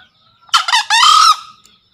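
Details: Green junglefowl crow used as a daily master recording to coax newly caught wild birds into calling: a single hoarse, broadband two-part burst, a short rasp then a longer strained note, lasting under a second, with faint thin chirping birds behind.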